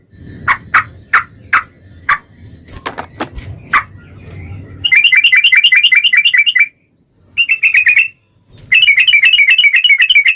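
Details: Yellow-vented bulbul 'ropel' song, used as a lure to make bulbuls sing: scattered slurred whistles over low rumbling noise give way to fast buzzy chattering runs in three bursts.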